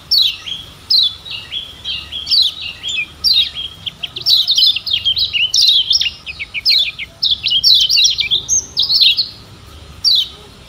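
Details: Lemon-bellied white-eye (yellow kecial of Lombok) singing as a tutor recording to get caged birds singing: rapid, high twittering phrases of descending chirps and trills, repeated in bursts about every second, a faint steady hum underneath.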